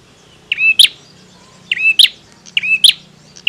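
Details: Male bar-winged prinia singing actively: three phrases about a second apart, each a buzzy, ringing note that jumps into a sharp, very high, clipped accent. A faint low hum runs underneath.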